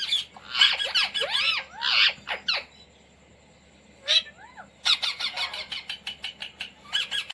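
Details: Pet Indian Ringneck parrot that has been taught words like "mummy" and "roti roti": arching, voice-like whistled syllables and squawks, a pause of near silence, then a sweeping note and a fast series of short harsh calls.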